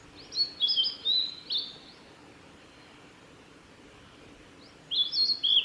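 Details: Male blue-and-white flycatcher in song at Tanzawa's Mizusawa forest road, Japan, 28 May 2021: a quick burst of high whistled and slurred notes, nearly three seconds of quiet, then another phrase begins.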